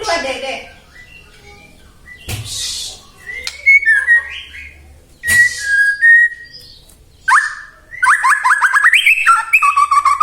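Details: White-rumped shama song meant to provoke other shamas: scattered whistles and sharp clicks, then a dense, fast warbling passage of high, shifting notes at the end.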